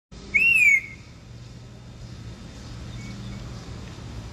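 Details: Pet African grey parrot imitating a nearby nightingale it has watched singing: one clear, loud whistled note, rising then gently falling and lasting about half a second, followed by quiet background hum.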